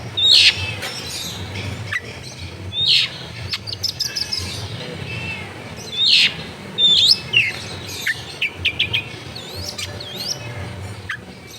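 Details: Long-tailed shrike (cendet) singing actively, used as a lure to make lazy shrikes sing, recorded at a home in a crowded neighbourhood: scattered sharp, high chirps and short whistled notes in bursts, over a low steady hum.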